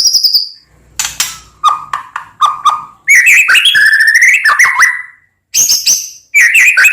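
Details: White-rumped shama song used to provoke other shamas into singing: varied whistled phrases, a high note near the start, short repeated notes, then loud slurred rising whistles and a final burst of bright notes.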